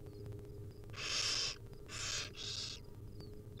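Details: Hungry wild barn owl nestlings begging as their mother feeds them; three breathy, rasping screeches in quick succession, the first loudest, with faint clicks and a low hum around them.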